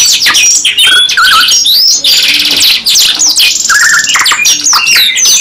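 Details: Caged canary kept as a singing bird, delivering long continuous song: rapid trills, buzzy rattles and sweeping whistled notes, dense and loud throughout, with overlapping phrases suggesting more than one bird singing together.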